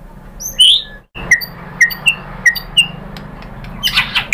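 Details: White-rumped shama, called murai batu, used as a lure to prompt other birds to reply: one bright whistled note, then a short gap and a row of brief sharp chips roughly every third of a second, with low hum and a final rustle.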